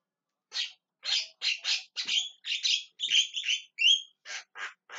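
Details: Javan myna calling with a fast series of rasping squawks, some paired, interspersed with short whistled upslurred squeaks near the middle, then a few final harsh notes.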